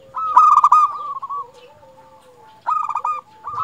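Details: Vigorously singing local zebra dove from Indonesia, used as a lure for other zebra doves: one loud rapid stuttered cooing phrase, a long soft lower coo, then the bubbly phrase begins again.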